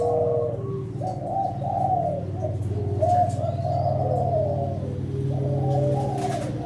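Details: Breeding Kelantan spotted dove, an eager singer of contest quality, delivering a run of linked mellow coos with small rises and dips over nearly seven seconds, backed by a loud steady low-frequency hum.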